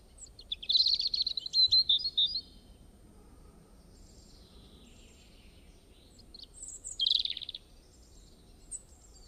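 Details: Bird chirping: a quick series of high twittering notes at the start, a second short chirpy burst later, and a faint final note, over a quiet steady background hiss.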